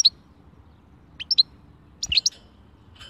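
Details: Short bursts of European goldfinch song, khalwi style: bright clipped chirps in pairs, then a rapid tinkling cluster, over quiet background.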